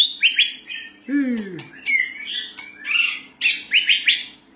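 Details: A white-rumped shama (Copsychus malabaricus) sings a rich, varied run of clear whistles, slurred trills and brief harsh notes, with one low descending swoop partway through.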